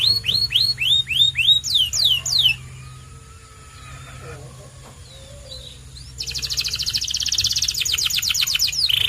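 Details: White canary sings a row of looping, upward-swept whistles and quick slurred notes, pauses with only soft background sounds, then launches into a long rapid rattling trill.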